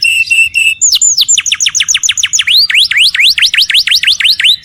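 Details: Canary singing at home: a few short steady high tones open, then a quick series of looping downward-swooping whistles that turn into V-shaped notes, repeated about four times a second.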